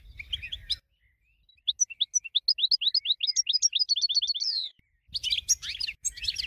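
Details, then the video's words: A goldfinch, presented as a winning singer for song training, sings a fast, liquid run of high twittering notes and trills, with bursts of jumbled chattering at either end. "GOLDFINCH Winner"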